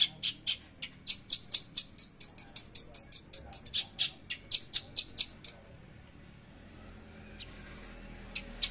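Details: Javan bush lark (branjangan javanica) singing in trotol and tembakan style, recorded Tuesday 13 December 2022: a run of sharp, high, evenly repeated clicking notes, about two per second, with a short level whistled stretch in the middle, then silence.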